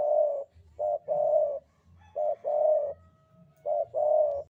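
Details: Spotted dove, Javanese type, cooing in the sandungan kuk-kuk style: each phrase a short clipped note then a longer rolling coo, repeated three times in under five seconds, clean and close.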